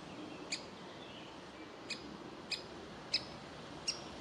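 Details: Juvenile woodpecker inside a tree cavity begging for food; faint, irregular single chirps separated by pauses of up to a second, against a quiet, slightly hissy background.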